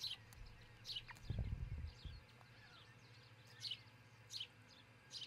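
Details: Osprey at a nest near Charlo, Montana, a pair building a new nest, recorded by nest camera on 22 June 2018 before 6 a.m.: short high chirps repeated roughly every second, with a low thumping rumble near the start.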